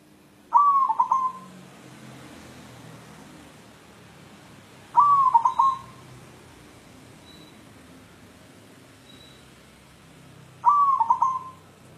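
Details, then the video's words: White zebra dove, a local bird, looking for a mate, repeats its stuttering coo three times at roughly five-second intervals, each phrase a hollow note with rapid pulsed breaks over quiet background hiss. "Perkutut putih galau mencari jodoh"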